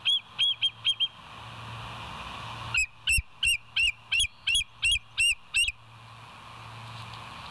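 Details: Live cam Bald Eagle at West End, 25 September 2023 near 7:00; a short burst of four high piping notes, a pause, then about nine loud, regularly repeated shrill notes before hiss returns.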